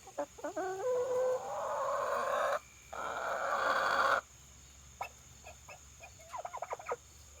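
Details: Female domestic turkey calling at her reflection, apparently taking it for another turkey: a few short clucks, then long harsh drawn-out nasal notes, followed by scattered soft clicks and chatter, with a woman talking to her.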